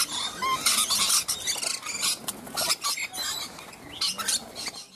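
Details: Rainbow lorikeets, nectar-loving parrots, giving loud, harsh, noisy screeches and squawks in rapid overlapping bursts, with short pauses between outbursts.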